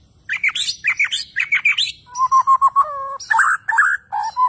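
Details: Bornean White-rumped shama, a captive bird displaying actively, delivers rapid chattering notes, then a run of evenly repeated lower whistled notes, closing with harsh rich phrases and a final whistle.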